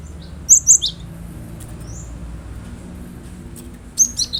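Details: Lure song of a cinereous tit meant to make a kept bird join in: three sharp, high whistled notes in quick succession, a lone softer note, then another short bright trio near the end over faint low noise.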